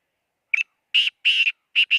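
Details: Black francolin calling near Khushab: a series of loud, harsh, grating notes, each a short burst, the last ones longer and paired, delivered in quick succession against a silent background.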